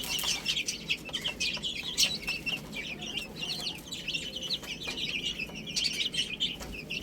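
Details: Baby chicks chirping while eating spinach: a dense chorus of high, thin peeping notes overlapping continuously, with soft pecking and rustling noises underneath.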